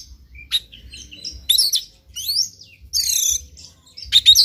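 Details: Morning song of a white-rumped shama used as a stimulus for a bird to sing: loud, dense bursts of rapid high warbling and sweeping whistles broken by brief silences, with a soft low hum.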